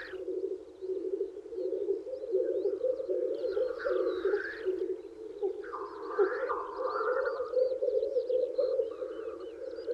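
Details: Male black grouse lekking in spring to woo females: a steady low bubbling, cooing drone runs throughout, broken by rushing hissed sneeze calls near two and six seconds, with thin high chirps from other birds overhead.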